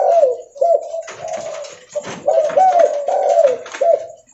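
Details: Spotted dove, leopard type, giving loud, steady coo phrases while walking: hoarse, slightly slurred notes run almost unbroken, with a short break near the middle and a falling final note.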